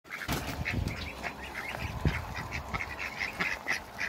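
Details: Ducks, four of them together with three Pekin ducks, meeting one another: rapid quacking calls repeated throughout, each a short harsh burst with a nasal ring, with low rumbling background noise.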